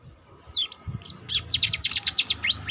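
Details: A young long-tailed shrike still learning its song gives a few thin descending whistles, then a quick series of sharp, rhythmic scratchy notes about five per second, with a low background rumble.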